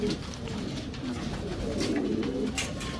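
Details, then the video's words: In the breeding section of a Racing Homer pigeon loft, low gurgling coos roll on continuously, several domestic pigeons overlapping, with a faint hum and occasional taps. "Racing Homer breeding section"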